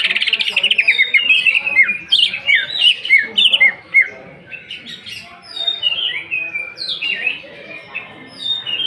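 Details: Greater green leafbird singing 'nembak' with 'isian kasaran' fill-ins as an emotion lure: an energetic opening of rapid, sharply downslurred whistles, then a quieter middle stretch and renewed bright chirping phrases toward the end.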